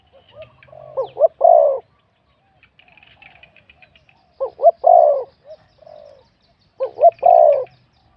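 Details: Spotted dove, a wild-caught bird entered in singing competition scoring point 87, voice style medium-to-large: three loud mid-pitched cooing phrases, each two quick rising notes then a long rolling coo, spaced a few seconds apart with softer coos between.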